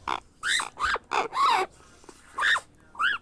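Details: Grey parrot hatchling being hand-fed, giving harsh arched begging calls that rise and fall, in bursts about once a second with short quiet gaps between them.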